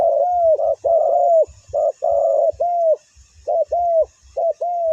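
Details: Spotted dove used as a ground decoy to draw in wild birds, giving quick runs of short, hoarse, mid-pitched coos in close clusters separated by brief pauses; faint low thumps underneath.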